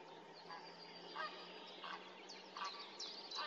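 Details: Common snipe at Tranholen in 2024, giving harsh, rasping calls repeated roughly every two-thirds of a second over a steady background hiss, with faint high twittering from other birds.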